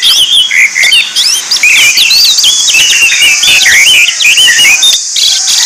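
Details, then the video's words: Orange-headed thrush song used to lure or train birds: a rapid run of bright whistled, looping and slurred phrases, steady and dense, over a constant high hiss. "PANCINGAN ANIS MERAH"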